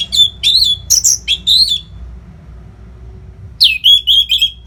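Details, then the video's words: Orange-headed thrush song for training fighter birds: a rich, continuous string of whistled notes with buzzy overtones, mostly level with some rising slurs, then a pause before another similar phrase. "COBA SUARA MASTERAN ANIS MERAH GACOR RAPET NO JEDA INI UNTUK MELATIH FIGTHER BURUNG AGAR SELALU FIT."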